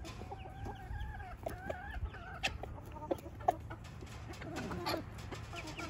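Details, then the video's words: Swiss rooster calling his hens to show them what to eat, giving drawn-out nasal calls followed by scattered short clucks against a constant low background hum. "Der Hahn zeigt den Hühner was sie essen sollen"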